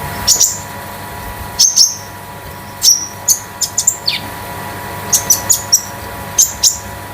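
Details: Konin sunbird kept at home as a master tutor bird, giving sharp high metallic chirps in pairs and small clusters with gaps of a second or more between them.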